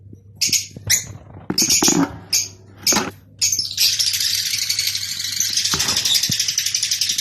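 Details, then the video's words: Rosy-faced and Fischer's lovebirds calling to stimulate breeding: several loud, shrill, separate chirps, then a continuous buzzy, chattering trill that runs to the end over a faint low hum. "أقوي صوت لتزاوج طيور الروز والفيشر"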